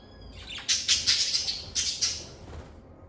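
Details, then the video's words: Chirping lovebirds recorded in a calm, stress-free environment: a rapid chattering burst of shrill, scratchy high chirps, about eight in close succession, then quiet. "Lovebird Singing & Chirping Sounds"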